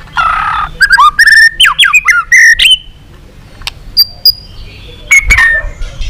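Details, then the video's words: White-rumped shama long song for provoking rival shamas; a harsh buzzy note opens a quick series of loud whistled slurs, then sparse clicks and a few high thin whistles. "Luyện giọng dây dài cho lửa.chòe lửa đập tạch kéo dây hay. ép giọng kích lửa hiệu quả.tạch đánh đuôi"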